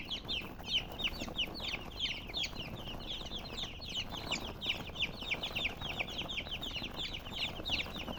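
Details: Colored chickens produce a busy, irregular stream of short high chirps, roughly three per second, many voices overlapping with faint low background noise.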